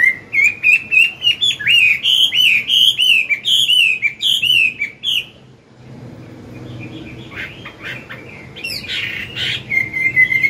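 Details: Morning singing by a mature wild-caught Chinese hwamei in forest voice, meant to stimulate young birds: five seconds of rapid, rising and falling whistled phrases, a pause, then harsher notes and a final whistle.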